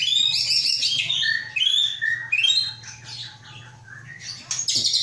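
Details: Aceh white-rumped shama kept in a cage, hatched August 2012, its father a known Aceh bird and its mother from Terangun, Gayo Lues, pours out a rich run of rising and falling whistles, chirps and buzzy notes.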